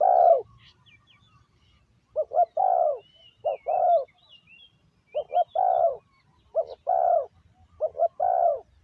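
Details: Captive decoy spotted dove calling to bring in wild doves, repeating about six phrases of two short notes plus a longer husky falling coo, while other birds whistle and twitter high above.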